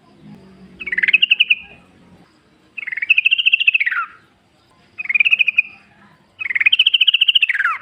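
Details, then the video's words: Wild yellow-vented bulbul singing in nature; four bubbly, rapidly pulsed phrases of about one to one and a half seconds each, rising then dropping at the end, separated by short pauses, with faint low chatter between. "trucuk gacor ngalas full suara alam"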